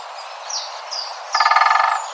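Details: Great spotted woodpecker (Dendrocopos major) drumming in the wild in forest, a territorial fast, even roll of about fifteen strikes lasting under a second, with faint thin bird calls before it.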